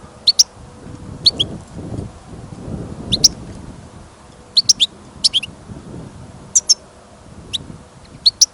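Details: European goldfinch, a caged bird kept for listening, outdoors during sudden snow and wind: short sharp high chirps in pairs and triplets, spaced about a second apart, over low rumbling wind noise.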